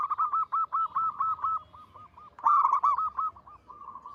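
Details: A local zebra dove coos persistently, a rapid staccato series of low hollow notes, about eight per second, rising to a louder rolling phrase midway.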